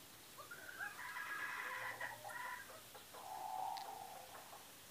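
Lady Amherst's pheasant gives a hoarse, drawn-out call of about four seconds: a strained, wavering first part, then a lower, flatter closing note.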